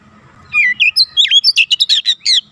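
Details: Oriental magpie-robin song from a training recording meant to bring young birds quickly to rapid, dense 'nembak' singing: a burst of about a dozen sharp whistled and chattering notes, swooping and buzzy, fired quickly over two seconds.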